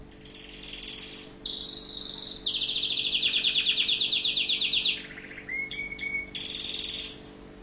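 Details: Tunisian orange canary singing in a continuous flowing phrase: buzzy high trills, a fast rattling roll, then a low steady whistled note and renewed trilling, all loud and clear.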